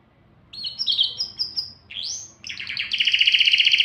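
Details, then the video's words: ['Canary song meant to stir both sexes toward mating. Scattered high chirps give way to a rising whistled sweep, then a loud, rapid, pulsing roll repeated about four times a second.'] "تغريد كناري لتهييج الذكور والاناث"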